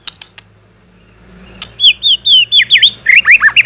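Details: White-rumped shama singing as a lure for other shamas: after a few faint ticks and low hum, a loud series of sweet downslurred whistles builds into fast, looping phrases.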